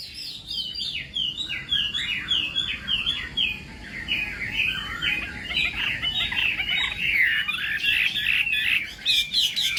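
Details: Chinese hwamei singing during morning practice for song contests: a dense, continuous stream of rapid whistled notes, repeated in quick succession over a hissy background.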